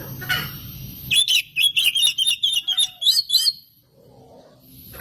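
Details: Singing oriental magpie-robin, a lure to spur other magpie-robins into song; a rapid series of sweet, clear whistled notes rising and falling for about two and a half seconds, then quiet.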